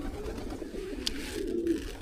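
A pigeon gives low, throaty coos, soft and rolling, with a brief click partway through.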